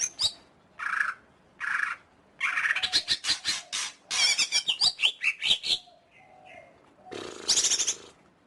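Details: Greater green leafbird singing a varied phrase: harsh buzzy bursts, rapid chattering notes and short whistled slurs, broken by brief pauses.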